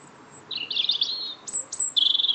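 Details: Short burst of song from a small bird greeting someone after work: a tumbling, high warble, then two thin piercing notes and a fast, even trill at the close.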